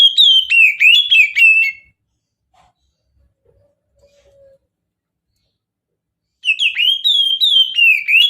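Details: Oriental magpie-robin singing its mountain-style song, used to lure birds: short bursts of ringing whistles with sharp rising and falling slurs, separated by several seconds of near silence holding a few faint soft notes.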